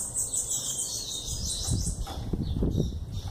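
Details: Young bananaquit, 11 months old, giving a thin, high, rapid trilled song for about two seconds, then fading behind low rumbling and knocking noises.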